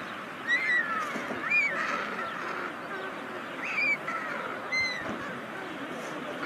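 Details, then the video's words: White storks at a chimney nest in the yard of the local government in Ságvár, Hungary, near meadows and wetlands, day 36 of the 2024 nesting season; short rising, squealing notes repeat about once a second over steady background noise. "White Storks"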